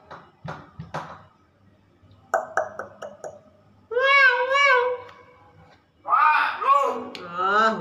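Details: A pet common hill myna in an Indonesian-speaking household talks in drawn-out, wavering, voice-like phrases, mimicking words like "Assalamualaikum" and "cewek", with people chatting and prompting it nearby.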